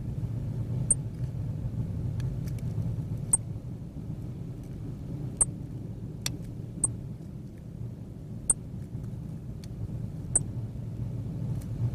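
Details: A steady low rumble like wind or distant engine noise, broken by scattered sharp clicks and taps, with no animal calls.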